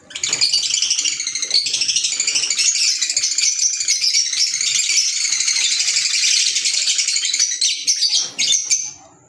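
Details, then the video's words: A continuous, dense wall of shrill chattering and squeaky twitters from green Fischer's lovebirds kept as pets, with barely a pause for nine seconds. "Fisher Love Birds Sound"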